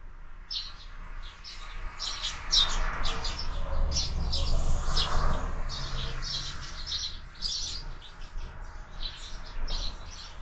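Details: A flock of sparrows at a window-mounted feeder in the morning, chirping almost continuously in quick repeated notes, about three or four a second, over a low rumbling background.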